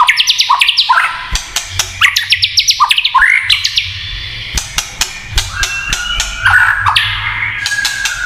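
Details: White-rumped shama giving kretekan song meant to agitate rival shamas: three seconds of rapid, crackling chattered notes, then sharp clicks and a stretch of drawn-out warbled whistles.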